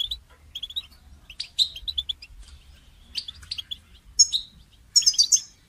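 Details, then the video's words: Goldfinch song for training songbirds: sparse high twittering notes and short trills, with some brighter, sharper phrases near the end. The background is quiet. "goldfinch song training"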